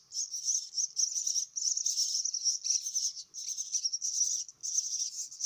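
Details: Myna chicks being fed keep up a thin, buzzing, high trill that runs almost continuously, dipping briefly every second or so.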